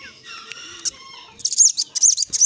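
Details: Young sooty-headed bulbul, singing often and with variety: after a second of faint mixed sounds, a run of loud, high, arched whistled notes in quick repeated phrases, clear and ringing.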